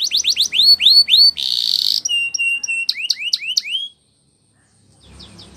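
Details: Spanish Timbrado canary training song: repeated rising hooked chirps, a harsh buzzy burst, then clipped whistled notes and more chirps before falling quiet, a few faint notes returning at the end.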